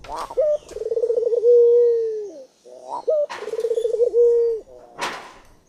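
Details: Dove, locally called puter, repeats its coo twice: a brief higher note, a rolling, pulsing trill, then a drawn-out steady tone. Occasional sharp clicks sound in the background.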